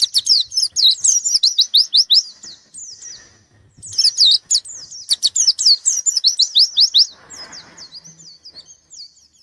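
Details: White-eye challenging a rival with two long bursts of rapid high chattering chirps and slurred whistles, separated by a short softer pause, trailing off at the end.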